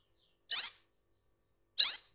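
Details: Female canary calling to attract a male, kept as a cage bird: two short, sharp, rising chirps about 1.3 seconds apart, each a bright upward sweep ending in a thin high note, in otherwise quiet surroundings.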